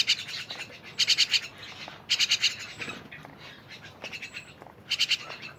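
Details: Crowded, lively mynas give loud, rasping, stuttered bursts, four in about five seconds, separated by quieter scratchy chatter and a few thin squeaks.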